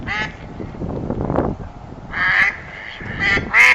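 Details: Ducks giving harsh, nasal quacks in short bursts, with a breathy rustling sound between the calls.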